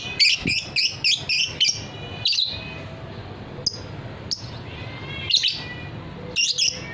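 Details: Fighter lovebird singing, a hobby bird valued for long ngekek trills: a fast series of about eight chattering high notes in under two seconds, then sparse clicks and rasping chirps.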